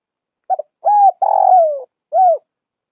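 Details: Spotted dove of Vietnam's northwest region repeating its four-part coo: clipped double note, rounded coo, long rasping downward croo, then a single arched coo.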